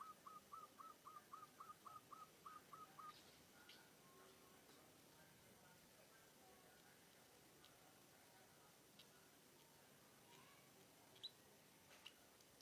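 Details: Munia imitating the cooing of a zebra dove: a quick run of about ten short, hooked whistled notes, about four per second, over the first three seconds, then faint background hiss with a few distant ticks.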